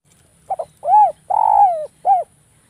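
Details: Javanese zebra dove giving a sharp, tightly spaced lure call meant to draw replies from other doves: a stuttered double note, a rounded arched coo, a long burry coo sliding downward, then one short arched coo. Quiet background.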